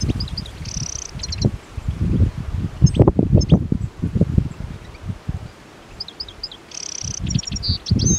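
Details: Hungry European goldfinches in the heart of winter at the Anapodaris river, eagerly eating plane tree seed balls on 17 January 2021; brief high twittering, buzzy call bursts near the start and end over loud crackling and rustling from feeding.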